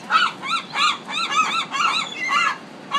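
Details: Loud gulls from a Pacific city give a steady run of hoarse, arched, honking notes, roughly two per second, with overlapping calls from more than one bird.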